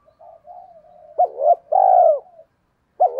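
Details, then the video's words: Spotted dove cooing for bird luring: soft low wavering coos, then a crisp double note and a long powerful coo that drops in pitch, fading out before another double note begins. "tiếng cu gáy kích bổi nhanh nổi kích bổi hiệu quả nhất 2023"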